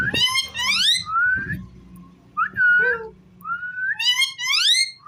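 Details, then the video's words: Indoor pet ringneck parrot mixing harsh, harmonic rising squawks with smooth sustained whistles, a clear level whistle in the middle and another burst of rising chirps near the end. "Talking parrot so cute"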